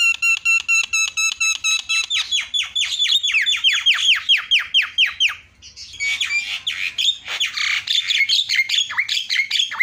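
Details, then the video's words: Harsh, rapid starling chatter used as a lure for non-singing starlings: fast harmonic nasal notes repeated several times a second, then a noisy jumble of squawks and buzzy whistles. "SEKALI PENCET JALAK LANGSUNG PADA CEREWET"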